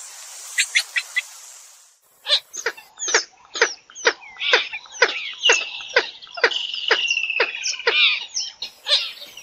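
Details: Purple swamphen giving a rapid, uneven run of sharp clucking notes rich in overtones, with a drawn-out higher squealing note partway through and a short hiss at the start.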